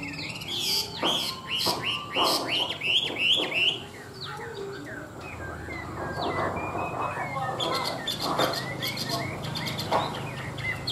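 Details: Chinese hwamei, a tame large-bodied caged bird in Vietnam kept for its fine singing, delivers loud repeated rising-falling whistles, then a rambling run of softer warbled notes and sharp chips over low background rumble.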